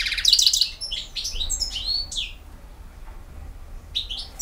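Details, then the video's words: European goldfinch, BiH, in campero song: a burst of twittering, then separate swooping whistled and chirping notes with quiet spaces between. "El Jilguero BiH 15"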